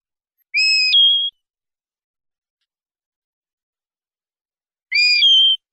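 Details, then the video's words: Common linnet singing clean 'pardillo limpio' song, from a 2019/2020 CD: two identical short whistles, each stepping from a lower pure tone to a higher held note, separated by about four seconds of silence. "CD PARDILLO LIMPIO 2019/2020"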